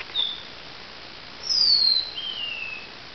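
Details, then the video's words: Lavender waxbill song at dawn in 2016: a short high pip, then a drawn-out thin whistle gliding down in pitch, trailing into a softer lower descending note, with a quiet hissing background. "lavender finch song"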